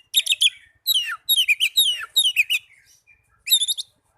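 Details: Oriental magpie-robin song meant to coax sluggish caged birds into song: high sharp chirps in clustered bursts and descending whistled slurs, separated by brief silences.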